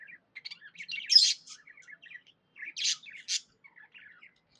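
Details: Pet budgie in a happy mood giving soft twittering chatter broken by a few loud harsh chirps, quiet between phrases.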